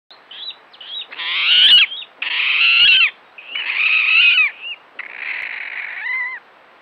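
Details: A water rail squeals like a piglet, slowed five times: four drawn-out, harmonic wails, each under a second and falling slightly at the end, about one a second, over a quiet background.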